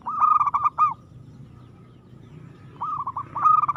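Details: Zebra dove of local stock singing vigorously, with a loud rippling coo phrase, a pause with faint hum, then two further bubbling phrases in quick succession.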